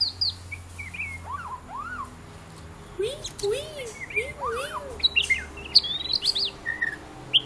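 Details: Pet white-rumped shama singing while playing with its owner: a rich, varied run of clear whistles, low arched notes mixed with high quick slurs and chips, over a faint low hum.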